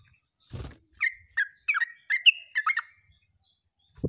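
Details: Rapid, energetic song of a Yellow-vented bulbul, 29/08/24: a brief low thump, then a tight sequence of bubbly, twisting chirped notes about three per second, ending in a short thud.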